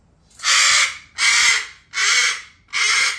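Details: Pet cockatoo refusing to go to bed and throwing a nighttime tantrum, giving four loud, raspy screeches in steady succession, each about half a second long and repeated roughly every 0.8 seconds.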